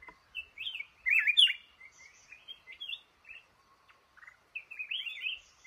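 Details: Male red-whiskered bulbul in a trap in a cashew orchard, called the boss of the garden. It sings short warbled, whistled phrases in quick bursts with brief pauses. A louder, richer burst comes near the middle.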